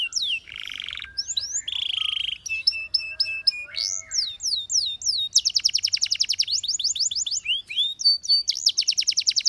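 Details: Singing canary mixing varied phrases: nasal buzzy notes, sweeping slurs, clipped repeated whistles, then long stretches of fast rattling trills and a few clear level tones.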